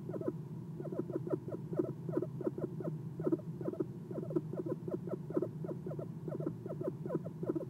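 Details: Eastern screech owl on a nest box perch in the early morning, 11-6-2016: steady, rhythmic soft chirps, each a brief falling note, several per second, continuing without pause above a quiet low hum.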